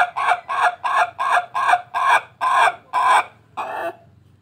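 An Ayam Ketawa rooster crows in a rapid series of short, laughing syllables.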